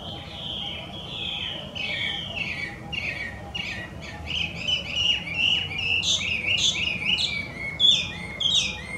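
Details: Invasive Chinese hwamei singing in the wild in Japan: jumbled, varied whistled phrases that build into clear, piercing repeated notes, very loud and lively across nine seconds.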